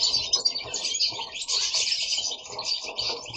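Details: Goldfinches kept at home give lively, overlapping song, with rapid high chirps and liquid twitters in quick bursts and short dips between phrases.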